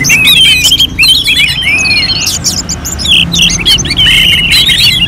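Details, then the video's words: Contest-simulation recording of orange-headed thrush song, North Bali, Singaraja: busy high chatter of short whistled notes, about three to four per second, with a clear downward-curving whistle early and overlapping phrases. "KICAUAN ANIS MERAH"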